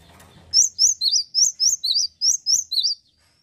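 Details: A male cinereous tit sings persistently, nine loud, piercing whistled notes swinging between two pitches at about four per second, ending in a faint rising thin whistle.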